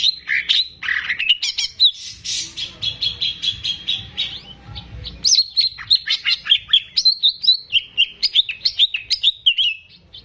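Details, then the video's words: Caged greater green leafbird used as a song tutor, pouring out a long rapid stream of whistled and chirped notes, briefly over a low rumbling background, then bright, quickly repeated slurred phrases. "CUCAK IJO GACOR || PAS BUAT PANCINGAN BURUNG BAHAN"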